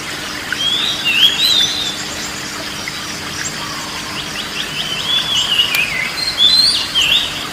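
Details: Oriental magpie-robin song aimed at relaxing a stressed, quiet bird: scattered short whistled phrases and twittering notes at the start and end, with a quieter middle and constant background hiss.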